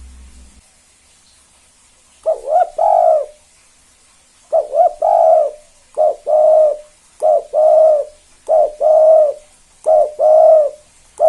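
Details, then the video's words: Spotted dove giving its 'kuk 2' double coo to provoke other doves to call: after a pause, low paired hoots, a brief note then a longer drawn one, repeated steadily several times in a quiet setting. "Tekukur KUK 2 Gacor satu ini AMPUH Banget Pancing Derkuku Lain Biar Ikut Bunyi"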